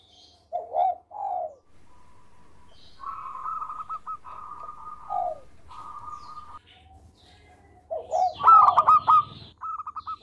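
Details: A melodious local zebra dove, singing freely for use as a training master. Soft low purrs and long, quieter runs of coo notes lead up to a loud staccato burst near the end.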